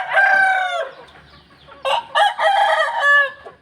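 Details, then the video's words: Roosters crowing at dawn: one loud drawn-out crow, a pause, then another rooster's crow beginning with short stuttered notes and ending in a long harsh sustained call. "roosters crowing in the dawn, manok galing tumitilaok"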